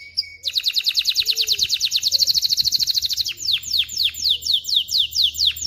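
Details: Canary song meant to train young birds and stimulate hens to mate: a rapid rattling trill of fast repeated notes, then a slower series of sharp downward-sweeping chips.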